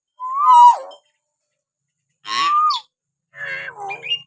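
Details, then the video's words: Common hill myna natural whistle recording, used to stir pet mynas to call: three separate phrases, a slurred falling whistle, then a rasping note blended with a rising whistle, then a gurgling, rising warble, with a faint low hum. "masteran burung beo suara siulan alami"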